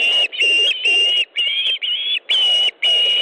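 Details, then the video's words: Osprey at a nest in Estonia, 18 August 2014 around 18:05, as the male delivers fish to the female: loud, shrill whistled notes about half a second long, repeated almost continuously with brief gaps. "Kalakotkas 2 - Osprey nest, Estonia 18th August 2014 18.05 Ilmar delivers fish to Aino"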